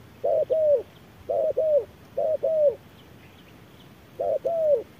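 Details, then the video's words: Spotted dove calling against a decoy bird in fierce midday sun: four mellow double coos, each a clipped note then a longer gliding note, with a gap before the last pair. "MỒI MÁY DẬP ĐẤU BỔI GIỮA TRƯA NẮNG GẮT BỔI HÁ CẢ MỎ"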